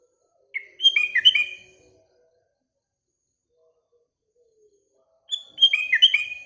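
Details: Sooty-headed bulbul singing in the morning: a short phrase of bubbly, liquid whistled notes, then about three seconds of silence before a second similar phrase.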